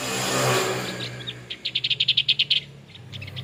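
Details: Male Javan grey-throated white-eye, an endemic of Java's high mountain forests, giving a rapid series of about ten sharp, evenly spaced high notes after a burst of broad noise.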